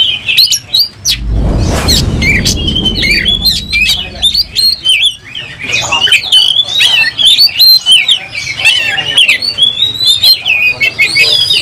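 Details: Oriental magpie-robin singing loudly while fighting with its tail spread: after a brief rushing burst of noise, a fast, busy series of whistles, buzzy trills and clicking notes runs on and on.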